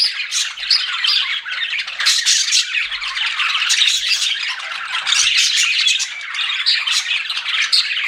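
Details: Flirting pet budgerigars fill the air with steady high-pitched chatter, many short chirps and buzzy squeaks overlapping, rising and falling in loudness, with faint low bumps now and then.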